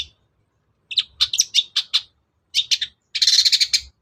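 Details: Long-tailed shrike singing, used as a lure to provoke reluctant, silent shrikes into answering and singing. Three bursts of sharp, high chirps and trilled notes, the last a dense, rapid chatter, over a faint low rumble.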